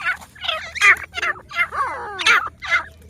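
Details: Grey francolin (teetar) calls from Pakistan: grating, loud syllables roughly every half second, mixed with a run of swooping, downslurred whistles in the middle, several birds overlapping over a faint hum.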